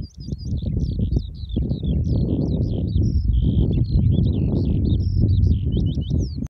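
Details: Loud, close Eurasian skylark singing a nonstop jumble of high chirps, quick trills and sharp upslurred notes, over a constant low rumble, likely wind.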